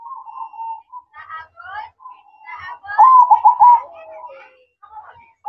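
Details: At night, a zebra dove (perkutut) in manggung song: soft drawn coos mixed with scattered higher chirpy sounds, then one loud burst of rapid rolling coos midway, followed by quieter notes.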